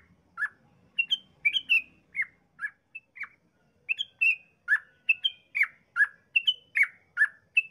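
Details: A singing yellow-vented bulbul in long rapid 'ropel' song, meant to draw other bulbuls into singing, gives dense series of short, liquid, bubbly notes. Brighter high notes alternate with lower falling ones in an almost unbroken chattering stream.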